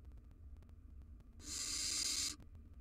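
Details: Wild young barn owls, three sharing a nest box, let out one harsh snoring hiss roughly a second long, noisy and breathy, over a low constant hum.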